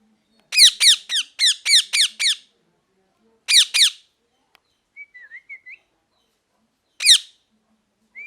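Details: Parrot giving harsh, rasping screeches with strong harmonics, six in a fast run, then a pair, then a single call, with soft short whistles in the gaps.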